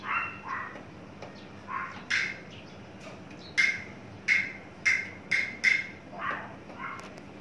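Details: Caged, tame adult male Horsfield's bush lark just coming into breeding condition gives scattered soft notes, then a quickening series of loud, sharp chipping notes about every half second, ending with a softer note.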